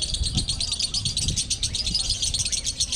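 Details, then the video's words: Lovebirds dueling in a singing contest, a konslet-style quality match: dense, rapid, high chattering trill pulsing continuously, with low rumbling crowd murmur and faint voices beneath. "DUEL LOVEBIRD KONSLET ADU KUALITAS"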